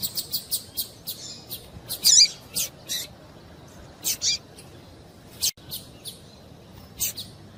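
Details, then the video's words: Female double-collared seedeater calling to stimulate a male to sing: short, high, sharp chips scattered irregularly, with a louder burst near two seconds and a few faint notes later over a quiet hiss. "Melhor Piado de Fêmea de Coleiro para Esquentar Coleiro"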